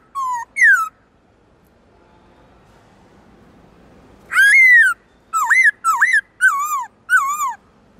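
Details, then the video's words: Black-throated laughingthrush (Garrulax chinensis) singing in many varied voices with loud, rich whistled notes: two short phrases, a pause, then five bold slurred whistles about half a second apart, each rising then dropping. "Khướu bạc má hót nhiều giọng"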